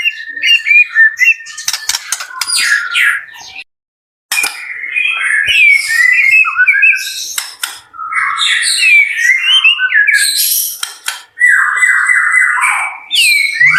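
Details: White-rumped shama kept at a bird farm, singing busily: jumbled whistles, harsh chattering phrases and scratchy notes, broken by sharp clicking sounds and one short silent gap.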